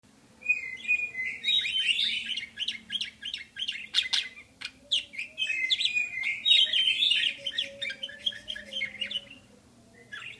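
A budgerigar warbles in a fast, chattering stream of high chirps, buzzes and squeaky whistles.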